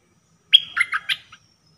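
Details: Caged red-whiskered bulbul used as a trapping decoy, dok taeng style. It gives a single short phrase of four or five liquid, dropping and rising notes, clear and close.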